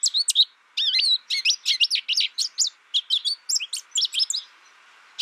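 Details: American goldfinch producing bright, wiry twitters and looping slurred notes in a steady run, broken by a short pause early on. The song fades into silence before one last chirp at the end. Background otherwise quiet.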